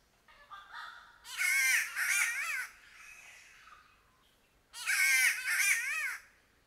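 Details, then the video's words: Green catbird in Queensland, Australia, giving harsh, nasal, wavering wails like a yowling cat in two bursts a few seconds apart, with softer calls before them. "Call of the Green Catbird"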